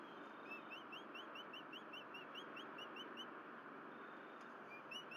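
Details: Bald eagle pair working on their nest at Berry College, the male arriving with something in his talon: a thin, clear series of high, rising whistled chips repeated rapidly for about four seconds over steady low hum.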